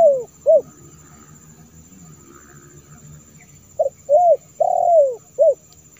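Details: Spotted dove lure call for wild doves: two brief coos, a quiet pause, then a fuller phrase of short notes and a long falling coo, clean low-pitched cooing over near silence.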